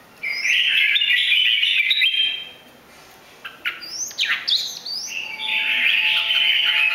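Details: Red-whiskered bulbul, three seasons old, of Bình Định origin, singing with a butterfly-wing display. A sustained warbled phrase, a quiet spell, sharp rising and falling whistles, then more warbling.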